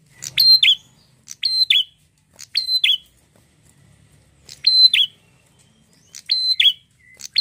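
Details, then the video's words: Sharp buzzy prinia phrases, each a high flat whistle then a falling note, given in a steady series, four in quick succession, a pause, then more; the bird is described as red-headed. "prenjak apapun langsung nyautt gacor dengan prenjak gacor ini"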